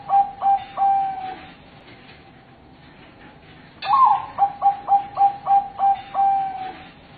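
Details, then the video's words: Zebra dove of the Bangkok type gives its soft, mellow cooing: the tail of one phrase, a pause, then a full phrase of a rising opening note, a rapid series of short coos and a final drawn-out note. "suara perkutut bangkok tersyahdu termerdu terbaik 2022"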